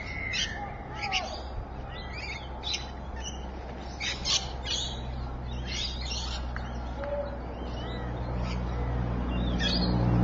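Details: Rainbow lorikeets at Evans Head on 26 May 2012, a busy chorus of rapid shrill screeches and chattering notes packed closely together, with a low rumbling background that grows louder toward the end.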